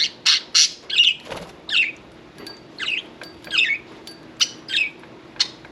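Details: Separate short budgerigar chirps from pet birds at a bath, about a dozen rising and falling squeaky notes spaced irregularly, with a soft thump near the start.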